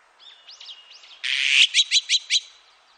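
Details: Azure-winged magpie, recorded 2020: faint thin whistled notes, then a loud harsh rasping burst followed by four quick scratchy notes in rapid succession.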